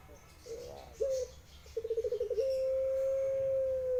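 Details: Pelung guguk cooing from a Barbary dove: soft low broken notes, then a fast rolling burst of pulsed coos running straight into one very long, level, sustained coo held to the end.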